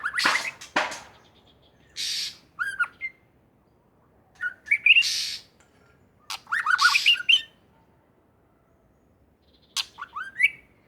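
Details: Wild white-rumped shama from Aceh in vigorous song, giving loud scratchy bursts followed by short sliding whistles in separate phrases, with gaps of silence between them.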